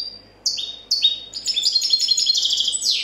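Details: European goldfinch, 2014 copia-style competition champion, gives two sliding descending notes, then launches into a continuous rapid, bright twittering warble held high and loud to the end.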